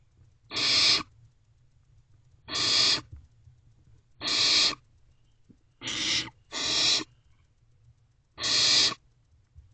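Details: Wild barn owl owlets in a nest box, evening of 21 May 2023, one feeding on a rodent as siblings watch; six loud rasping screeches, evenly spaced about two seconds apart with a quick double near the end, low hum beneath.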